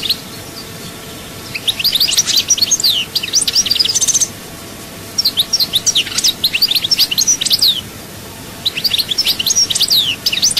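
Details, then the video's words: European goldfinch song from Souk Ahras, Algeria: bursts of rapid high twittering and tinkling notes lasting two to three seconds, separated by pauses, over a steady background hiss. "chant chardonneret"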